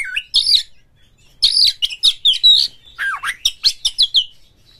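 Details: Oriental magpie-robin song meant to prompt other birds into singing, rough material with tail spreading: bursts of loud, buzzy and whistled notes with quick falling slurs, delivered in short rapid runs.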